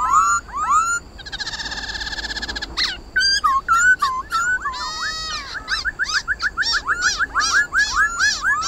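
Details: White-cheeked laughingthrush (Pterorhinus vassali), song.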